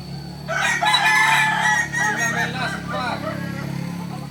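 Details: Kukuak Balenggek rooster, a native chicken from Solok, crowing: a harsh harmonic opening note breaks into a run of wavering, stepped syllables that fade over about three seconds, over a steady low electrical hum and a faint high tone.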